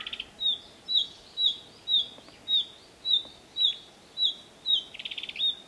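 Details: Female Narcissus flycatcher giving alarm calls on 5 June 2017: short high down-slurred whistled notes repeated about twice a second, ending with a brief rapid rattle, over soft steady background noise.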